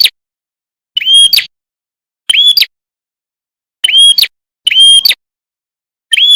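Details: A red-headed prinia gives sharp, high, ringing phrases about half a second long, repeated every second or so, with silence between them.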